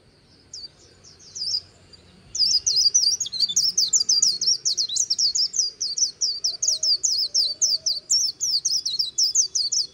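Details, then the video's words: White-eye by the Kỳ Cùng river in Vietnam giving the trilling "líu" song: a few scattered high notes, then a fast continuous chain of thin twittering phrases after two seconds. "VÀNH KHUYÊN HÓT LÍU/ 10 PHÚT CHIM VÀNH KHUYÊN LÍU BÊN BỜ SÔNG KỲ CÙNG RẤT HAY"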